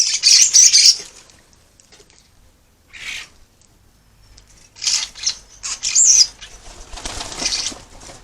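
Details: Common starlings squabbling while bathing and drinking at a bird bath in an urban garden on the Isle of Wight, UK, caught by a trail camera: harsh, rasping high bursts in irregular clusters with short silent gaps.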